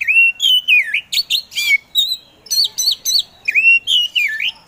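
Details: Oriental magpie-robin (kacer), a caged competition songbird called a provocateur for its eager singing, gives continuous loud song of swooping whistled notes, wavering phrases and short harsh bursts repeated roughly every half second.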